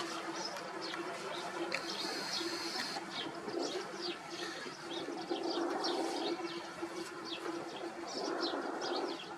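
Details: Indian silverbills at Bhuj, Gujarat, India, in January 2021 give soft, high, scattered chips and tinkling notes, several per second, over a steady low hum and broad background noise.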